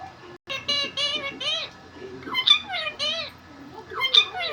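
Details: Pet talking parrot indoors, said to say 'mummy papa': high, nasal, speech-like phrases with bright stacked overtones, a run of short syllables followed by several rising-then-falling utterances, each about half a second long.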